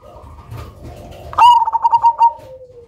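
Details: Zebra dove of the Cemani type in full song, with a loud voice and unusual rhythm, kept as a lure bird. After a faint low murmur, a strong note breaks into about six rapid pulsed coos, trailing into a lower, slowly falling tone.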